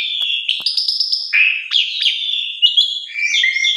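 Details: Javan pied starling song played as a lure to stimulate silent or stressed birds: a loud, unbroken stream of bright whistled notes, sharp clicks and scratchy chatter, shifting pitch quickly from phrase to phrase.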